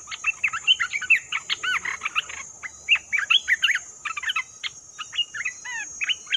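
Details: Olive-winged bulbul, recorded as a trapping lure, giving lively bursts of fluty, warbled and slurred notes, some upslurred and some downslurred, in irregular clusters throughout.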